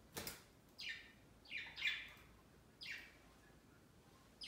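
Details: Pet budgerigars flocking on a large Christmas tree set beside their cage on Christmas Day, their first Christmas; five short, harsh chirps sweeping downward, irregularly spaced about once a second, with a quiet room behind.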